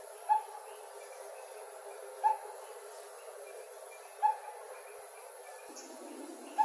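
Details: Coppersmith barbet in a calmer mood, recorded in 2020: slow, widely spaced hollow tonk notes, four in under seven seconds, roughly two seconds apart, against a quiet hiss.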